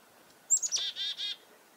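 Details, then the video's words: Short chick-a-dee alarm from a chickadee disturbed by a goshawk nearby, filmed February 2021 at Reedfly Farm; two or three high thin notes lead into a few long, coarse buzzy notes. "Chickadee Alarm Calls due to nearby Goshawk"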